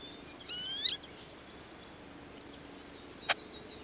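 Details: American goldfinch pair tending a nest of five young chicks in a small deciduous tree about five feet up in an overgrown field, Iona Island, Richmond, B.C., Canada, mid-June 1995: a loud, bright, sweeping note with rising and falling harmonics, then soft high chips, a thin slurred whistle, and a sharp click.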